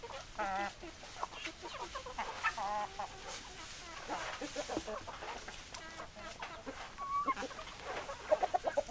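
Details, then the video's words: Several chickens give soft, scattered clucks and brief squawks against a continuous low murmur of the flock, with a few sharper notes near the end. "Chicken Sounds Noises Hens Clucking Roosters Crowing"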